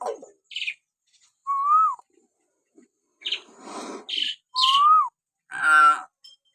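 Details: Common hill myna natural whistling, used as a lure recording to provoke pet mynas into calling: clear slurred whistles that rise then drop, mixed with short harsh buzzy bursts and nasal squawks, in separated bursts over several seconds.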